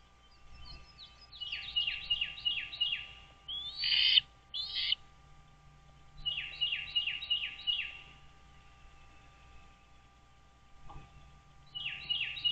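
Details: Wild American bald eagles at a lakeside nest on Dale Hollow Lake, on the Kentucky-Tennessee state line, in April: runs of high, thin, chittering piping notes repeated quickly, broken by a couple of louder squeals, under a faint electrical hum.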